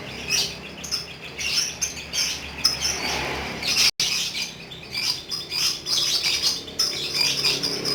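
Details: A lovebird delivering long ngekek chatter: an almost unbroken stream of fast, raspy, high-pitched twitters with small surges in loudness throughout.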